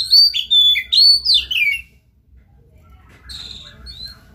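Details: Actively singing Oriental magpie-robin, played to stir another bird into song: rich swooping whistles in rapid phrases for two seconds, then a pause and softer high twitters.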